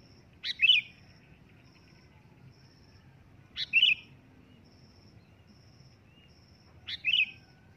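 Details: Sooty-headed bulbul calling loudly, repeating a short bubbly whistled phrase about every three seconds, three times, above a low background hum and a faint pulsing high tone.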